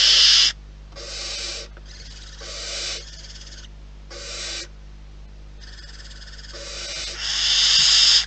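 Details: Wild barn owls at their nest: harsh, breathy hissing bursts of about half a second to a second each, repeated in an uneven series with short gaps, over a faint steady low hum.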